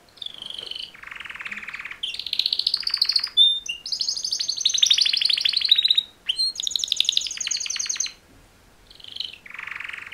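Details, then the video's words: Canary males singing a mating song, alternating low, dry rattling trills with high, fast, shimmering rolls and short whistles in long unbroken tours. There are brief pauses between sections and no other noise. "Super Two Males Canary Mating Call Songs"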